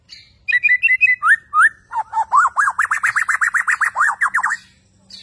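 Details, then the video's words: Caged Borneo white-rumped shama displaying vigorously, singing a few clear whistled double notes, two upslurred whistles, then a rapid even trill of about fifteen repeated notes. "Burung Murai Borneo beraksi gaya mempesona"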